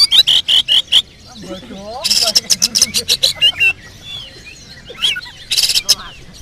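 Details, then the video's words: Oriental magpie-robin in fill-song mode: quick repeated high chips, then a burst of harsh rapid notes and scattered whistled slurs, with faint speech underneath. "Isian tonjolan burung kacer"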